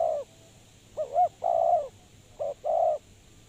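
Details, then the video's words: Spotted dove kept as a trapping lure. A coo ends, then come two short hooped notes and a long throaty coo, followed by a short note and another long coo. "Suara Terkukur Pikat Tua"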